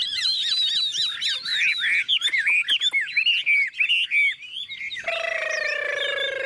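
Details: Newly arrived tame Chinese Hwamei, caged, yellow legs and bill, singing as a heavy downpour starts: fast, bouncing whistled phrases about three per second, ending in a sustained low, harsh harmonic note.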